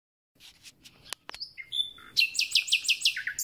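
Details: Common nightingale, newly arrived and beginning its spring concert: scattered high notes and a couple of sharp clicks, then a fast series of rich, repeated downslurred notes at about three per second.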